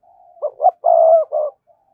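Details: Spotted dove, recorded to lure wild doves, giving a single phrase: faint lead-in murmur, two short coos, a long sustained coo and one final shorter note.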